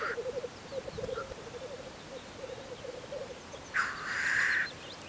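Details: Black grouse on a Russian spring lek, murmuring in soft, rolling bubbling phrases, then one loud, harsh hissing sneeze lasting nearly a second.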